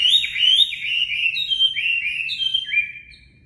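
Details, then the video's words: Chinese hwamei of the natural, untrained voice, played to train caged birds: a continuous string of clear whistled slurs, each rising and falling, stepping gradually lower and softer toward the end. "Luyện giọng Họa Mi mộc"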